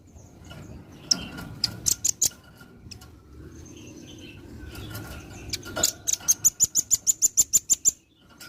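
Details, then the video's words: Velvet-fronted nuthatch, a lively tutor singer, with scattered sharp high chips early on, then a fast steady run of about fifteen high piercing notes near the end over faint background noise. "burung rambatan paruh merah gacor masteran handal"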